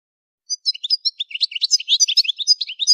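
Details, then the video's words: Goldfinch song used for song training: after a brief silence, a rapid, continuous jumble of high twittering chirps, short trills and buzzy notes, closely packed with barely a pause, and no other sounds. "Song Goldfinch Training"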